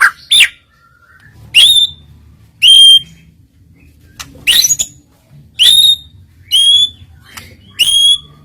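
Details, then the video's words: Rival-provoking lure of white-rumped shama filler song: sharp, loud upslurred whistles that end in a steady high note, given about once a second with short clicks between. "PANCINGAN ISIAN SUARA BURUNG MURAI BATU//DIJAMIN LAWAN LANGSUNG NEMBAK"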